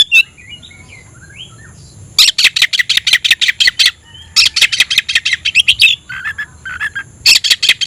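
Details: Oriental magpie-robin singing to challenge a rival to fight: a few soft warbled notes open into long fast series of harsh, scratchy ticks, broken by brief lower whistled phrases.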